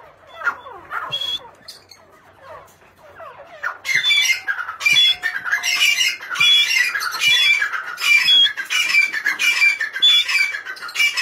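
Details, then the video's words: Grey francolin, known locally as gora titar, giving a loud, harsh, repeated call about once a second. The calls build from softer scattered notes into a steady series of high, grating phrases. "gora titar ( grey frinculin)"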